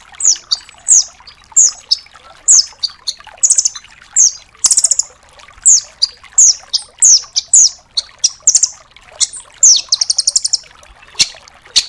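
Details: Long unbroken run of piercing chips and short downslurred notes from a velvet-fronted nuthatch used as song tutor, several per second, ending in a fast rattling burst near the close.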